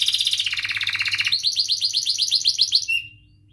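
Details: Canary in lively 'cuit cuit' rolling song: a fast pulsing trill slips lower, then clear repeated slurred whistles at about four a second, ending in one short flat note and quiet.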